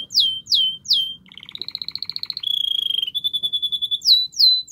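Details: Canary song aimed at stimulating a female to mate, opening with three rising swooping whistles, then a soft trill, a fast steady rattle, a lower held roll and two more swooping whistles.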